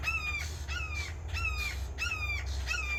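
A red-shouldered hawk gives five loud, clear, downslurred kee-ah screams in quick succession, about two a second, over a low steady rumble.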